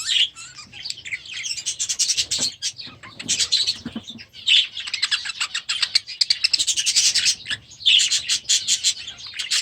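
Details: Budgerigars raised last year, now released into a new aviary as the season begins; a lively flock of high chirps and warbles, rising in density toward the end, with some flapping.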